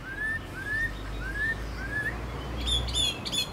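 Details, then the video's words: Chinese hwamei kept as a cage bird: four evenly spaced, rising whistled notes, about one every half second, then a burst of high, sharp notes over steady low background noise. "Họa mi dáng ngũ trường, đấu xòe, hót tốt"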